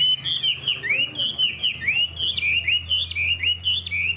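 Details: Caged hwamei with a fanned tail, praised for its good voice, delivering rapid rolling whistles that swoop down and back up in a continuous loud run, with a faint low hum underneath.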